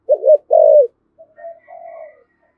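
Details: Spotted dove in Thổ Sấm style, fiery cooing used as a lure to provoke wild doves; a wavering double note and a strong drawn-out coo, followed by quieter, fading coo notes.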